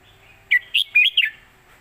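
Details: Red-whiskered bulbul singing a southern Thai master song, 'jok kwik khwai yo', used for training young birds: four quick liquid whistled notes rising and falling in one phrase.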